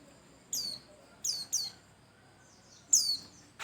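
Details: White-eye singing, used as a lure recording to prompt other birds to sing: four sharp, high, downslurred chirps, the first at about half a second, then a close pair, then a last one near the end, over a quiet background.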